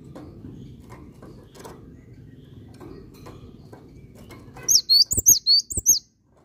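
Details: Singing cinereous tit (gelatik batu): after several seconds of low background noise, a single rapid phrase of about six high, clear, slurred whistled notes ends the recording.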